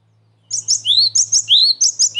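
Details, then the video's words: A cinereous tit, a recording used as a lure to draw in its own kind, gives quick, very high chirps mixed with bright rising whistles, about three phrases per second, over a faint low hum. "SUARA GELATIK BATU PIKAT AMPUH BUAT PANCINGAN DAN MASTERAN"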